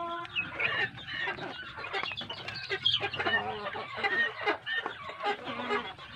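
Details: Well-fed large chicks of village chickens crowded together: a steady wash of bright peeping and chirping, short whistled notes popping out over the continuous shrill chorus.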